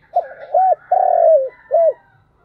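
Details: Spotted dove giving its thúc gù cooing: four low, hollow coo notes in quick succession, the third long and gently falling, in an otherwise quiet setting.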